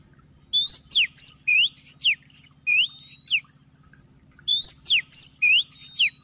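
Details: Oriental magpie-robin song used as a trapping lure in an oil palm plantation: quick sequences of sweeping whistles and sharp slurred notes, repeated in two bursts, with a constant thin high tone behind.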